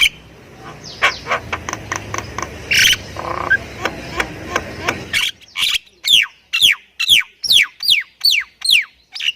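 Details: Javan myna of the Thai type, singing energetically with a full repertoire of fills. Muffled, noisy notes come first, then a fast series of loud, sharp, downslurred whistles repeated about twice per second.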